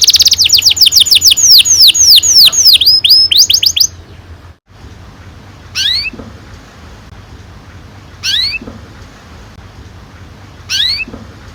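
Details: Canary song played to stimulate young canaries to sing, a long rolling song: rapid series of descending whistled sweeps for about four seconds, then after a pause three separate rising whistled notes spaced two to three seconds apart.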